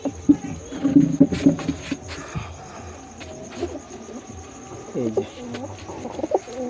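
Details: Pigeons in a breeding colony in a small loft give soft, low cooing notes in quick runs during the first two seconds, then scattered murmuring coos and rustling continue through the rest.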